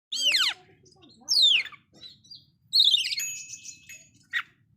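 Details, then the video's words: Oriental magpie-robin giving a loud song with fill-in phrases meant to rile up other magpie-robins: sweeping descending whistles, a rising slurred phrase, then buzzy trills and a sharp closing note, separated by short pauses, over a faint low hum. "KACER SUARA KERAS ISIAN BIKIN BURUNG KACER LAIN'JADI NAIK EMOSINYA"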